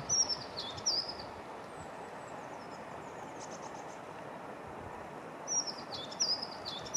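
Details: Crested tit at Värsnäs, Kalmar, Sweden, on 26 February 2021, giving thin, very high, quick sibilant notes in short bursts at the start and end, over a steady broad hiss of wind or distant noise.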